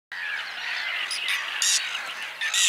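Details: Whiskered terns in spring giving a dense chorus of harsh, rasping calls that overlap continuously. A few sharper, higher shrieks stand out near the middle and end.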